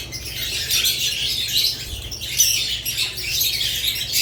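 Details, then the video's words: Chirping budgerigars produce bursts of shrill, overlapping twittering that swell and fade every second or so, with a faint low hum beneath. "Budgerigars lovebirds Chirping Sounds"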